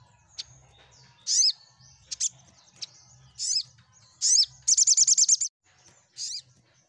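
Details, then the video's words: Olive-backed sunbird singing, used to coax mute sunbirds into replying: scattered high, sharp chirps dropping in pitch, separated by gaps, then a fast run of about eight rapid notes and one last chirp. A low background hum is heard. "Cukup Sekali Putar SogokOntong Bisu Pasti Langsun Ikut Nyaut & Gacor"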